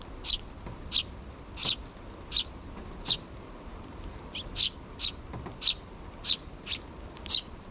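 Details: Food-begging sparrow chicks, a pair still in the nest with the mother nearby, June 2023; a steady series of piercing high chirps, about one every half second to second, with a short pause midway.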